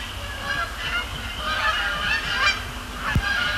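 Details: Canada geese at night at Sapsucker Woods Pond, many birds honking together in a blurred, overlapping chorus, with a brief click near the end and a low hum underneath.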